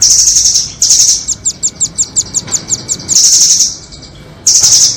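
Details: Rambatan nuthatches, doraemon and red-billed, used to lure birds into traps: a sharp trill, then a steady series of about a dozen evenly spaced ticking notes, followed by further high trills.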